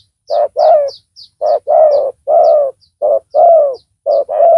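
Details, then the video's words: Spotted dove used as a decoy to lure a rival, noted for a big voice. It gives a run of deep, husky coos, short notes alternating with longer falling ones, roughly one per second. Faint high chirps come from other small birds. "Pikat tekukur tapau Bl suara besar dan penguku.blnya pukul lari."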